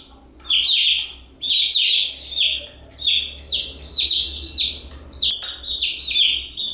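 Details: Domestic chicks chirping without pause: bright, high, downward-sliding peeps in dense overlapping bursts, several chicks calling at once, with short gaps near one and five seconds before the chorus resumes.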